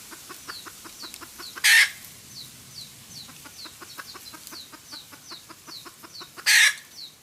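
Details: A hen red junglefowl cackles for use as a trapping lure. Continuous rapid clucks are broken by two loud raspy squawks about five seconds apart. Many high descending whistles run throughout.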